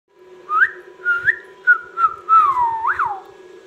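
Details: Pet ringneck parrot whistling indoors: a series of clear, rising and wavering whistled notes, growing louder with a final swooping rise and fall, over a steady low hum.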